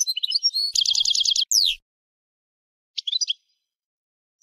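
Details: Goldfinch song with rapid liquid twitters, a fast trilled rattle, then a sharp descending sweep, followed by a pause and a brief burst of chirps; clean recording with no background sounds.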